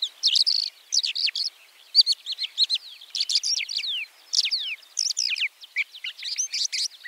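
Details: A white-winged lark (Alauda leucoptera) sings a fast, unbroken run of high, twittering notes, with sharp rising and falling slurs and rattling trills tumbling together.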